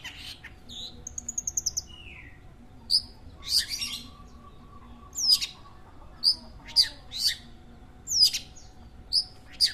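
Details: Long-tailed shrike kept for a local bird-keeping pastime: a brief rapid trill and a soft falling whistle, then sharp high chips spaced about a second apart.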